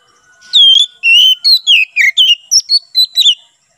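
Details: Oriental magpie-robin singing in ngeplong style for training and luring wild birds in forest: an extended phrase of about ten loud whistles, long first note then quick falling and rising slurs.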